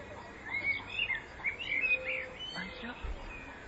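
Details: Common blackbird singing in spring 2014: a continuous, soft, warbling run of whistled notes that wavers up and down for about two seconds, then fades into faint hiss.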